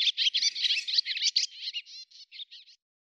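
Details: Swallow from Russia giving a rapid, scratchy twittering phrase that starts dense and loud, then slows into a few separate trailing chirps before ending.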